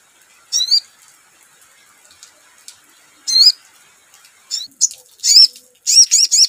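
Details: Ruby-cheeked sunbird (sogon) lure song used to trigger other birds to sing: bursts of thin, high, sharply wavering chirps, coming faster and more densely toward the end, with a faint high hiss beneath.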